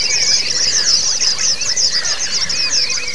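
White-eyes in a dense, unbroken stream of high, thin twittering and rapid wavering trills, with a fainter layer of lower, sliding whistles underneath.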